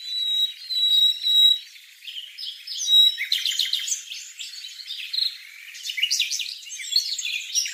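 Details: Taiwan barwing (Formosan barwing), Bogor: thin, level high whistles repeated at first, then a dense run of bright chattering and twittering notes with other high bird voices mixed in.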